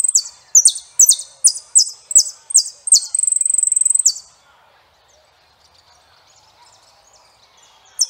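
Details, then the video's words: Saffron finch song: about four seconds of loud, high, descending slurred notes repeated roughly twice a second, ending in a rapid buzzy trill, followed by near silence. "canto Jilguero Peregrino"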